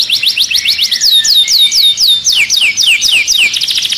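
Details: Agitated canary inside a cage sings a rapid trill, then loud downward-sweeping whistles repeated about four per second.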